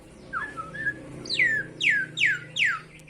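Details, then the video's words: Myna greeting its keeper: a soft rising whistle, then four loud, sharply falling whistled notes about every 0.4 seconds, close and clear indoors. "Burung Jalak Mengucap Salam"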